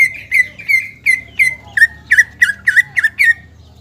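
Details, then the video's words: Caged greater green leafbird in full song, meant to provoke rival males into aroused, aggressive display. Clear slurred whistled notes repeated about three times a second, each dropping then steadying, growing louder and sharper toward the end, with low background hum. "CUCAK IJO GACOR MEMANCING BIRAHI AGAR CUCAK IJO LAWAN JAMTROK HIPER TETAP TERKUNCI"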